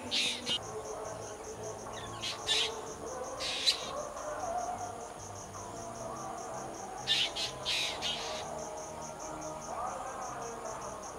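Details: A drongo gives a series of brief, rasping, broadband call notes, singly and in quick pairs, spread across eleven seconds. A high pulsing cricket chorus runs throughout beneath them.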